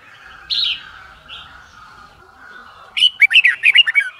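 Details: White-cheeked red-whiskered bulbul in competition singing, meant for song training: a quiet whistled note and faint warble, then a loud rapid run of sharp, bubbly whistled syllables near the end.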